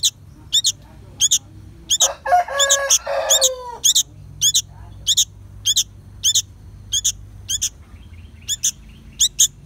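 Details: Sooty-headed bulbul; begging call; young bird begging for food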